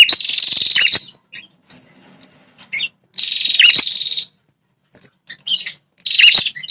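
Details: Red-headed prinia call, used to provoke territorial wild males: three dense buzzy trilled bursts, each about a second long, with brief dipping notes and short gaps between them. Scattered faint clicks are heard between bursts.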